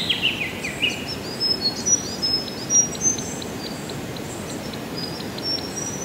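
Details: Spotted pardalote at Bawley Point on the South Coast of New South Wales, Australia: high, thin, short notes repeated irregularly, with a few descending whistled notes at the start, over a strong rushing wind-like background.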